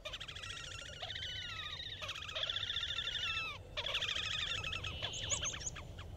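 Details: Horned grebe (Podiceps auritus) calling and singing: long, nasal squealing trills, stacked and quavering, with notes slurring downward at their ends, over a low steady rumble of wind or water.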